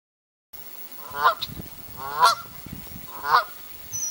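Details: A Canada goose from a goose family gives three loud, nasal honks about a second apart, each with a brief rising-falling inflection, over a low background rumble.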